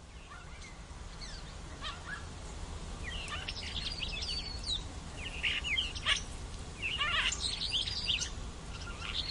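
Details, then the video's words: Starlings in noisy Toronto chatter in a dense jumble of whistles, clicks and buzzy notes, mixing in imitations of hawk and goldfinch calls, over a steady low rumble of distant traffic. "Starlings Various Calls Imitating Hawk Goldfinch"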